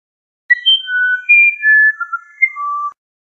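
Musician wren singing a short phrase of pure, flute-like whistles, about eight notes jumping between high and lower pitches and ending on a low note, against a quiet background.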